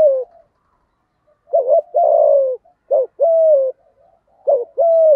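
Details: Lure spotted dove cooing in the 'thúc gù' manner, 'giọng thổ' voice, used to provoke wild doves: pairs of a short throaty note followed by a longer steady coo that sags at its end, repeated three times.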